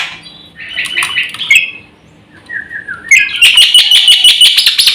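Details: Black-winged myna in full, rich song meant for luring and tutoring birds: a chattering burst, then a short descending series of whistled notes, followed by fast, loud, trilling chatter that fills the remaining seconds.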